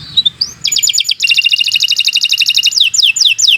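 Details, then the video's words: Singing canary on a tutor track: short rising notes open into fast, stacked pulsing trills, closing with a few quick downslurred whistles. "Kicau Burung Kenari 123 II LUAR BIASA GACOR PANJANG Cocok untuk Masteran"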